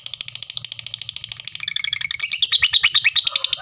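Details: Lovebird chattering in a long ngekek run, fast regular high notes that grow louder and harsher toward the end.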